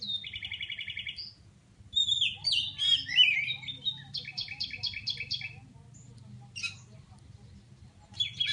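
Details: Oriental magpie-robin from Pidie, Aceh, singing while looking for a rival: a buzzy repeated stutter, then varied whistled slurs and quick clipped note series, with pauses and a steady low hum behind.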